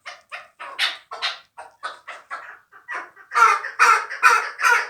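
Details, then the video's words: Fighting chukar partridge, a young bird hatched the previous year. It gives soft, spaced clucks that gather pace, then loud, raspy chuk notes in a regular beat. "Кабки Кучим"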